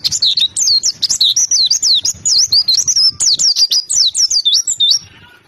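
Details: Lively, high-pitched twittering from an oriental white-eye, quick wavering chirps tumbling one after another, then fading out at the end.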